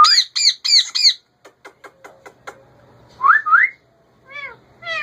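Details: Loud grating squawks from a pet male rose-ringed parakeet come four in quick succession, then soft clicks, two upswept whistles and a few nasal calls.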